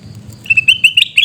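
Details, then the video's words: Sooty-headed bulbul from Pidie, Aceh, giving loud, clear chirps on one level, about six sharp notes in quick succession, each short and ringing, over a faint low rumble. "Suara Teriakan Burung Kutilang Emas"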